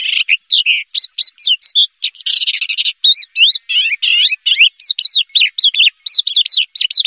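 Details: Champion Horsfield's bush lark pours out a fast, mimic-like song of chirps, slurred whistles and a dense buzzy rattle near two seconds, followed by rising and falling whistled phrases in close succession; no other sounds.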